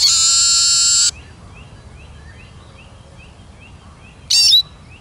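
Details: Eurasian siskin giving a long, harsh, buzzy wheeze lasting about a second, then a quiet gap with faint rising chips from other birds, and a sharp high call burst near the end.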